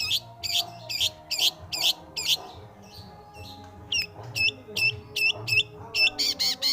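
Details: Pentet or cendet, the long-tailed shrike, singing gacor: spaced hooked chirps, a brief lull, then sharp down-slurred whistles picking up pace into a quick rolling trill, over quiet background music.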